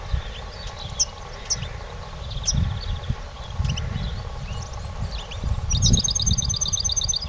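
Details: Competition goldfinch giving sparse bright chirps and short twitters, then closing with a sustained, fast, evenly repeated high trill, while dull low thuds and rumbling continue underneath.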